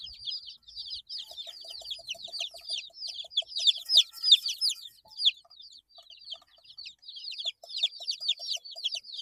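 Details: Young chicks, eight days old, give steady overlapping high peeps that fall in pitch, with a faint lower repeated ticking underneath.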